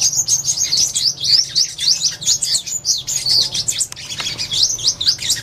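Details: Purple-throated sunbird song: a fast, continuous run of thin, high twittering notes. Quick squeaky slurs and chirps repeat several times a second with barely a pause, over faint low background hum.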